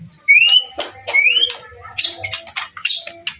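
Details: White-rumped shama, a bird used to prompt other birds to sing, giving two rising whistled slurs followed by a rapid jumble of high, sharp chattering notes.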